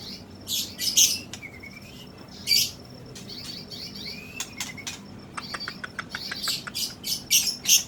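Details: Songbird kept by Indonesian bird hobbyists, caught young from the wild in 2016, giving rapid very high chirps and ticks in short clustered bursts, with a few thin rising whistles in between.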